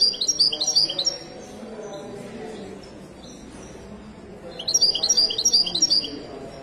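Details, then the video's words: Two bursts of high, fast, tinkling twitters from a Moroccan Widani goldfinch, separated by about three seconds of low background murmur. "تغريدة طائر حسون ويداني مغربي"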